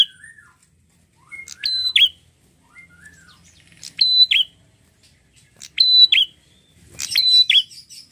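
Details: Red-headed prinia singing in lively form: repeated phrases of a sharp buzzy click, a level high whistle and a dropping note, with soft falling notes between, about every two seconds.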